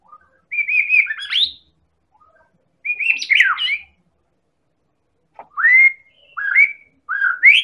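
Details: White-rumped shama of the Medan type, a champion-class and very active singer, recorded as a lure to provoke other birds into singing: clear whistled phrases with rising and falling slurred notes, given in short bursts separated by pauses.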